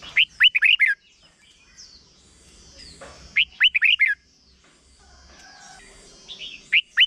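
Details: Bright warbled phrases of a red-whiskered bulbul, played for young birds to learn, repeated three times about every three seconds, each a quick cluster of five liquid whistles, with faint other bird chirps between.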